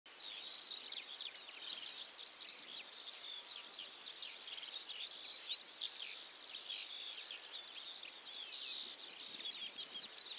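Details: Several common linnets recorded at 51.853691, 20.133837 give a dense, high, continuous chatter of quick twittering notes with overlapping rapid chirps and faint background hiss.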